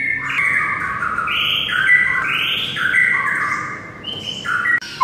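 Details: Murai batu, the white-rumped shama, singing a dense run of overlapping whistled notes, steady and slightly echoing, with a faint background hiss and a sudden break near the end.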